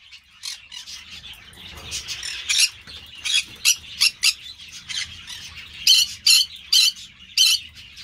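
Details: Harsh, grating squawks of Green-cheeked parakeets (Pyrrhura molinae) from an amateur breeding setting. Loud rasping notes come irregularly over softer background chatter, growing more frequent toward the end.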